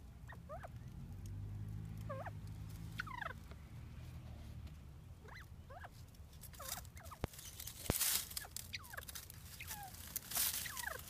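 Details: Several bobwhite quail, newly moved into a temporary enclosure, calling among themselves: short wavering descending notes and quick two-part slurred chirps scattered every second or two, with clicks, rustling and a low hum beneath.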